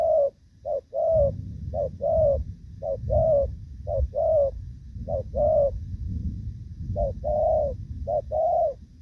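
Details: Moulting spotted dove cooing in Thổ Pha style, 3 June 2024: a long series of soft, hollow paired coos, each clipped note followed by a fuller one, steady near one per second, over low background rumble.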